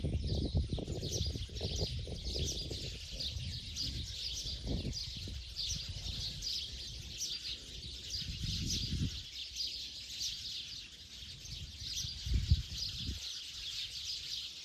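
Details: Sparrows in Bodoland at dusk, heading to their night roost: a dense, continuous chorus of high chirps from many birds, with low rumbling background noise throughout.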